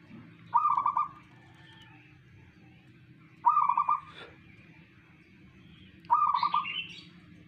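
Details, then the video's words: A local zebra dove singing: three soft, stuttering cooing trills, each about half a second long, repeated every three seconds, over faint background hum. "perkutut manggung tiada tanding"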